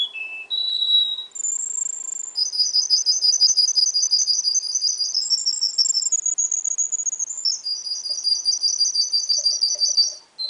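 A young Russian singer canary sings high, rapid rolling trills broken by clear whistled notes, shifting from one pitch level to another, with no other sounds.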